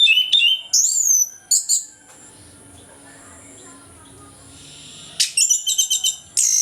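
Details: Loud morning song of an orange-headed thrush in ngeplong style, intended to lure reluctant thrushes into song: a sweeping high whistle and chirps, a quiet stretch, then rapid stuttering note bursts.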